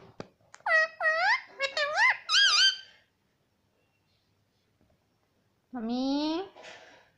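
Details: Indoor pet parrot repeating 'papa' in a shrill, nasal voice: a quick run of squeaky two-part syllables, a pause of nearly three seconds, then one lower, drawn-out voiced syllable.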